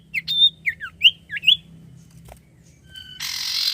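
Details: Energetic song of a common iora, known locally as sirtu, used to draw out quiet birds: five quick swooping whistles, followed by a click and a burst of harsh hissing.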